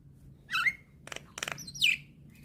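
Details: Young Javan myna, nodding while it sings, used to stir silent mynas: a slurred squawking whistle, two bursts of dry rattling clicks, then a loud descending whistled squawk.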